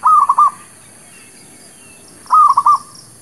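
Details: Zebra dove lure song for trapping new birds: two stuttering cooing phrases of several rapid notes, about two seconds apart, faint chirps behind.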